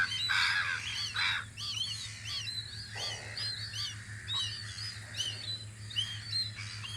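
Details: Gulls calling in spring at a guard post on Audru polder, repeated curved, yelping notes from several birds above a steady low engine-like hum throughout.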